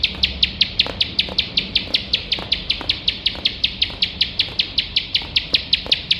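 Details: Ciblek sawah, the bar-winged prinia, calling without pause for training contest birds: crisp, high, evenly spaced chip notes repeated about five to six times a second, with only faint background noise.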